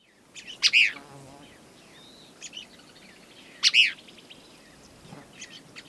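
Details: Cassin's kingbird in July at the grassland–ponderosa pine edge, Rosebud County, Montana, USA, calling from a pine on a hill in the morning: two loud, harsh, burry emphatic calls about three seconds apart, with softer chattering notes between.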